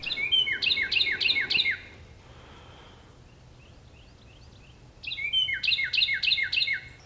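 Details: Carolina wren (Thryothorus ludovicianus) song near a dairy barn and cow pasture, seen there almost every milking: loud, rapid ringing phrases, about five in quick succession, a pause with faint soft notes, then another burst.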